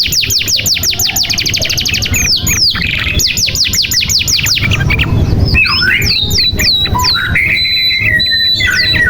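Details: Canary song used to make young or silent canaries sing: fast train of repeated descending whistles, buzzy rolls, then looping whistled phrases and sustained buzzy notes.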